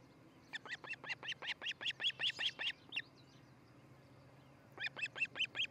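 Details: Osprey pair at their nest in Charlo, Montana, on a nest camera, early morning of 13 July 2018; a rapid run of about a dozen sharp, whistled piping notes, a short pause, then another quick burst of five notes.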